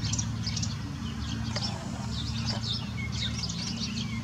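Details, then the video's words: Common starling living wild on İnönü University campus: dense, continuous high chirps and twittering notes throughout, over a steady low rumble of background noise. "Sığırcık Kuşu İnönü Üniversitesi Kampüs - Starling Bird İnönü University Campus"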